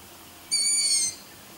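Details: A single long-eared owl chick at night gives one shrill, high-pitched, slightly hoarse squeak about half a second long, likened to a kitten's meow; the background is otherwise quiet.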